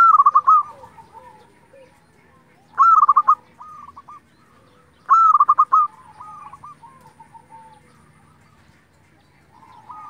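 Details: Local Indonesian-type zebra dove song used to provoke rival doves: three bright bursts of a clipped opening note and a rapid bubbling trill, spaced roughly three seconds apart, each followed by quieter, lower coos.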